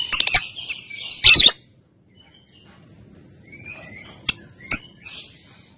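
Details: Female lovebird training recording: two clusters of harsh rapid squawks, then a pause with soft whistles and two brief sharp ticks near the end.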